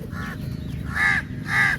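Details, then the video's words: Crows in a large flock descending on food at feeding time; three harsh, nasal caws, the last two louder and longer, over a steady low rumble of background noise. "Crow Sounds Very Loudly"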